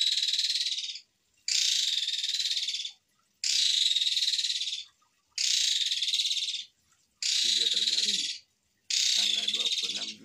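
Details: Asian pied starling in full voice, delivering six long, rasping, hissy bursts about every one and a half seconds, each steady and coarse, with a faint low chatter under the last two.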